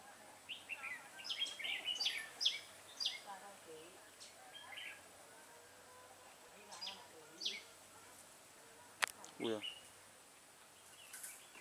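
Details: Decoy red-whiskered bulbul singing during a trapping session on 21 September 2018: short, lively whistled phrases repeated at irregular intervals, with a man's voice breaking in twice and a sharp click partway through.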